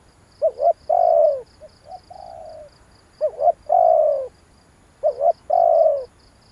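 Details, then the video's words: Spotted dove lure calls, three clear phrases of two quick notes and a long, lowering coo, with a fainter softer phrase between the first two. A high pulsed ticking runs throughout. "tiếng chim cu gáy kích bổi hay"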